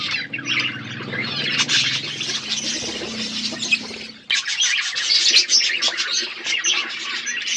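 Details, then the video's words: Wild parrots chattering loudly in a crowded flock, raspy shrieks and squeaky notes packed tightly together, with a low steady hum underneath during the first half. "Parrot bird natural sounds | wild parrot sound"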